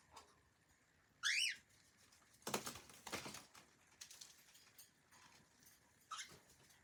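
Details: A single sharp rising-and-falling whistled chirp from a friendly pet cockatiel, then a run of scratchy, clattering sounds like claws or objects shuffling in a small room.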